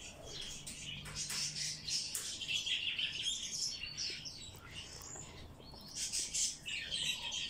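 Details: Hand-fed bird chick begging during feeding: bursts of harsh, high, hissing-buzzy cheeping repeated rapidly and unevenly, with faint low hum behind.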